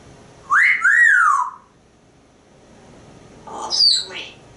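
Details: Pet African grey parrot, male, talkative, on a porch practising words with its owner; two loud sliding whistles rising then falling, followed after a pause by a higher squeaky whistled phrase.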